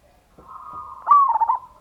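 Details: Single phrase of a local zebra dove's loud lure song, ngayer kerot nutut style, used to excite other doves to sing: a soft, level whistle rises into a louder, clicking, bubbling coo.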